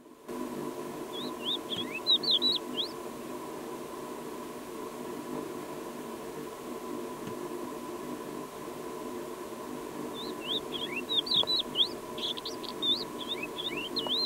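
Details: Crested lark perched on a dry-stone wall in Alta Murgia National Park, Italy, singing two short bursts of clear, fluty whistled notes, some rising and some slurred, over a steady low mechanical hum.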